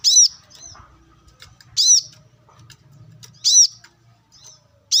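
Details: Wild brown-throated sunbird uttering strong, high, arched chirps about every 1.7 seconds, each trailed by a brief softer note, with light low rustling.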